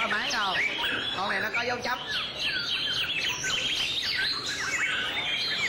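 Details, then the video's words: White-rumped shama in song display, pouring out rapid rich whistles, quick up-and-down sweeps and trills in a dense, continuous stream. "Shama's Song-Display"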